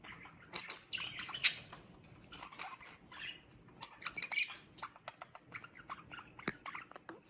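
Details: Pet budgerigar flock in a cage warbles and chatters in a busy, high-pitched stream of chirps, clicks and squawks.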